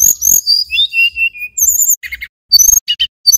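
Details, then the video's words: Mountain tailorbird, male, Banyuwangi origin: a cascade of high whistles stepping downward, then short buzzy chips and scattered high notes. "Suara Tledekan Gunung (SULGUN) jantan GACOR"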